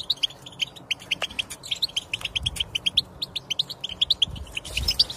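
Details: Lively European goldfinch twittering, meant to prompt a silent goldfinch to sing: steady stream of short, bright, high chirps packed closely together, with a faint low background rumble.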